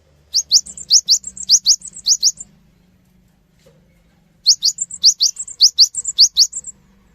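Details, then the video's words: Cinereous tit, a lure recording for prompting other birds to respond: two phrases of rapid high, rising whistled notes interleaved with short level chips, with a quiet pause of about two seconds between them. "GELATIK BATU GACOR | Pancingan Suara Burung Gelatik Batu Cepat Respon"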